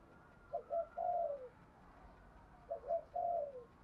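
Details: Spotted dove giving a native-style prompting coo, used to stir other doves into answering quickly: two low phrases about two seconds apart, each two short clipped notes followed by a longer, drawn-out falling coo, over faint steady hiss.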